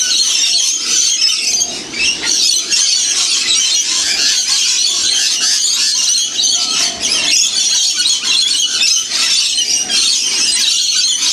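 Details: Winter free feed for a huge flock of wild lorikeet parrots near the Blue Mountains, roughly 30 km from Sydney; raucous, high, scratchy squealing from many birds, dense and sustained, with a brief lull near two seconds.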